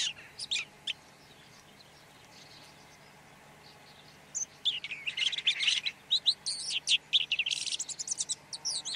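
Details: Red-backed shrike in song: a few scattered scratchy notes, a pause, then a fast jumbled run of chattering, squeaky and buzzy notes lasting several seconds, against a soft background hum.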